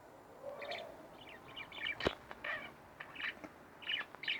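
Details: Two pet budgerigars indoors, quiet warbling chatter of short buzzy notes in loose groups, a sharp click midway.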